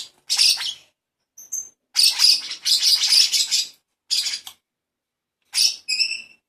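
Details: A baby lovebird during hand-feeding, with hoarse, noisy begging chatter in several bursts, brief high squeaks, and a last short call ending in a row of thin whistled pips.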